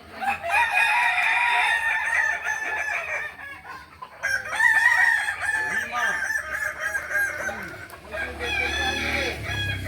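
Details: Kukuak Balenggek roosters crowing at a practice contest in Ampang Kualo, Kota Solok, May 2024; about ten seconds of dense overlapping crows with stepped, pulsing phrases, a brief lull near four seconds, and crowd sounds.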